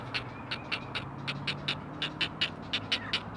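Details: Great blue heron chicks, four in a nest watched by a live camera at the Chesapeake Conservancy, calling to their mother with quick ticking, raspy notes repeated about every quarter second over a low background hum.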